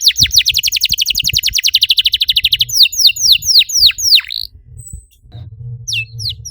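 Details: Singing canary, recorded as a lure to prompt other canaries into song: a long rapid trill of sweeping notes, then slower loud downslurs, a pause and a few scattered chirps over a soft low background rumble.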